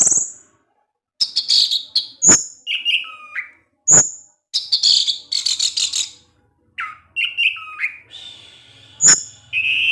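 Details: Kept orange-headed thrush singing in the ngecip ngecis teler style: bursts of high chirps, sharp clicking notes and short whistled phrases dipping and rising, separated by brief pauses, with faint low hum underneath.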